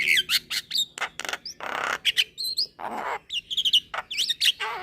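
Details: Young Javan myna, a caged bird kept for song, nodding its head while singing: a fast jumble of harsh broadband squawks, clicks and short whistled notes with upward sweeps, packed tightly with brief gaps.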